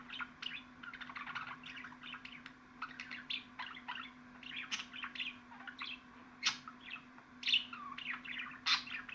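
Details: Budgerigar chattering steadily: dense runs of short, bright chirps and warbled notes, with a few sharper squeaks standing out above the stream, over a low constant hum.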